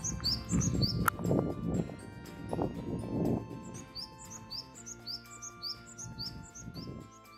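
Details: A Japanese tit sings in spring, the season it is said to announce. High hooked notes repeat quickly and evenly across the clip. Background music plays beneath, with some low rustling early on.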